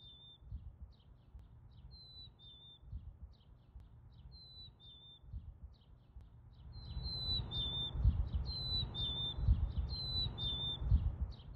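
A chickadee repeats clear, high whistled two-note phrases, the second note slightly lower, about every second. A low rumble of wind or traffic grows louder partway through.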